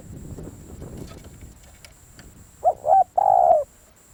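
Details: Spotted dove decoy call: after a stretch of low rumbling noise, a short, soft cooing phrase of two brief notes and a longer, throaty, slightly falling coo.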